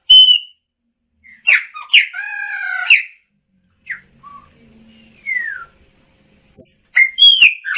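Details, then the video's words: Widely spaced phrases from a Chopi blackbird: sharp chips, a buzzy harmonic note lasting about a second, short isolated whistles and a downward slide, ending in a quick chattering cluster. "Tordo Chaqueño Cantando - Chopi Blackbird Singing"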